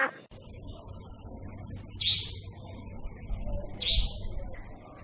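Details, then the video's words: Night-time nightjar giving short, harsh, high-pitched screechy calls that slide downward, two of them nearly two seconds apart, against a constant low rumble and faint hiss. "Suara burung Iblis II si cabak iblis malam"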